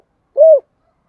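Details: Spotted dove, a caged bird, in the rustic-voiced calling style known locally as giọng thổ: a single short, rounded, mellow coo, rising then falling, in otherwise quiet surroundings.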